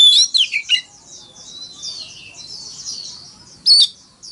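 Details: Oriental magpie-robin giving a fighting song in the morning: a loud opening of sharp whistled notes, then a long quiet warbling passage and a final bright burst.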